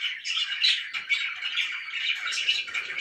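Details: Loud chirping from pet budgerigars, a busy mix of squawky, warbling notes and short bright chirps running together with no break.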